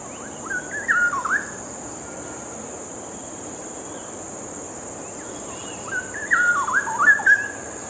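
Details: Straw-headed bulbul giving two short bursts of liquid, warbling whistles about five seconds apart, with steady background hiss in between.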